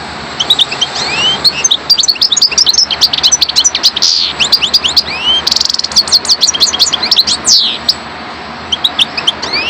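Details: A parva goldfinch in sustained, lively song: dense high-pitched twittering with many quick up-and-down slurred notes, sharp ticks and occasional rasping buzzes, continuing for nearly ten seconds.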